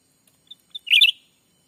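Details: Black-capped bulbul lure call for attracting wild birds in Sumatran forest: faint soft lead-in notes, then a loud rich warbled chirp of two linked parts.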